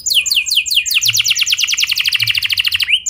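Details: Clear rolling song of a canary, played as a lure to set other canaries singing; rapid descending whistled trills merging into a steady high roll, ending in a rising sweep, over faint low hum.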